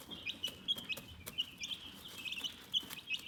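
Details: Calm chickens chirping: a dense run of short, high peeping notes, several a second, overlapping from more than one bird, with soft clicks and rustling underneath.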